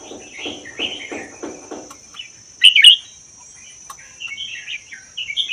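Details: Captive red-whiskered bulbul of Vietnam–Laos forest stock, kept a year, 'double' song: soft low pulsed notes give way to one loud fluty warble, then quieter chattering phrases, with a steady high whine behind.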